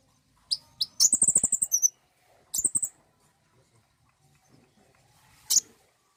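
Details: Common iora, played to stimulate singing: a few single high chirps lead into a fast rattle of sharp notes, a shorter burst of the same, then one isolated high chip after a long quiet pause.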